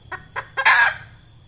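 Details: Red junglefowl hen call used as a lure for trapping: two or three quick rising clucks leading into a loud harsh drawn-out squawk.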